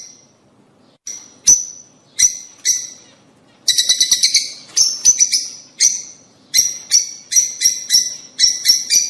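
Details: Rosy-faced and Fischer's lovebirds calling to encourage breeding: isolated piercing shrieks at first, then a quick burst of rapid chirps, then a steady run of sharp, high, ringing chirps in close succession.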